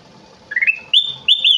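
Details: Bulbul known as kutilang emas singing energetically: a short upward-stepping whistle rising into a level tone, followed by two loud, bright, ringing whistled notes at a higher pitch.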